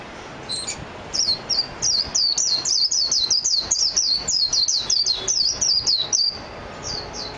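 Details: Japanese white-eye, or mejiro, delivering a sustained, very high, rapid twitter of downslurred notes lasting about five seconds, then two brief extra notes near the end.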